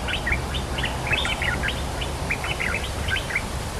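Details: Cream-vented bulbul, a dominant local bird answering each phrase, pouring out continuous lively chattering notes, jumbled and bright, across the whole stretch with soft background noise.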